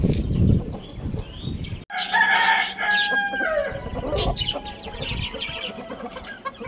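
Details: Rooster crowing: a loud, drawn-out harmonic crow begins after a brief pause near two seconds and runs for about two seconds. Shorter chicken calls and clucks follow over a noisy farmyard background.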